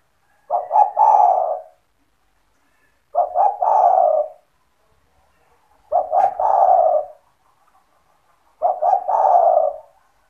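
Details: Four matching phrases from a caged spotted dove, used to entice other doves to sing: quick stuttering notes lead into a soft drawn-out coo, repeated about every two and a half seconds, with faint low thumps near one phrase.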